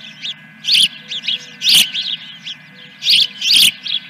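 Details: Osprey at the Dunrovin Ranch nest, morning of 3 May 2021, during a fish delivery: bursts of shrill, piping chirps run together in quick clusters, with softer chirps between and a constant background hum.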